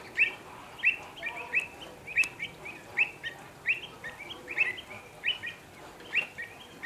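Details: Pied avocets at WWT Slimbridge calling in alarm, worried for their young as Common Cranes appear beside the lake: sharp, fluty 'kluit' notes repeated rapidly and unevenly, several birds overlapping, over faint hiss.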